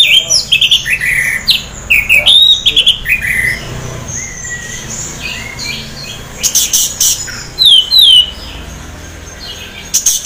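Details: Caged orange-headed thrush, half in breeding condition, singing to lure other orange-headed thrushes into song: varied whistled phrases, sliding and rising notes between high buzzy bursts, with pauses between phrases and faint background hum.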